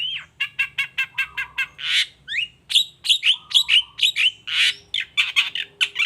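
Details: Long-tailed shrike song used to trigger answers from other shrikes: a rapid run of evenly repeated chattering notes, then a harsh rasp, flat low whistles and mixed squawking phrases, steady and loud throughout.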